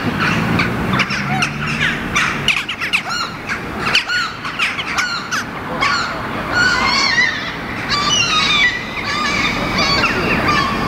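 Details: Hooded crow standing on rock in Helsinki, Finland, in July, calling while watching its surroundings: harsh, rasping squawks and short grating notes, mixed with higher calls from other birds and steady outdoor background noise.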